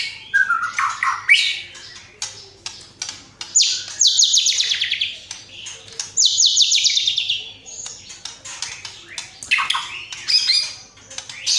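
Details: White-rumped shama in loud continuous song with filler imitating sparring sparrows, lovebird and kapas tembak: varied chirps and twitters, broken by two long descending buzzy trills, each lasting about two seconds.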